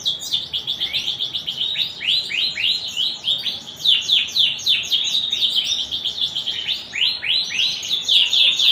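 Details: Singing canary in the cengkok mewah style: an unbroken stream of high, sharp, falling chirps and rolled trills, some notes run together quickly, sustained throughout at high volume.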